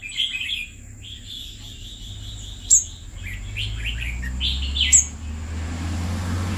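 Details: Pet red-whiskered bulbul owned for two years sings a string of whistled, warbling phrases, with two sharp clicks and a growing low rumble in the background.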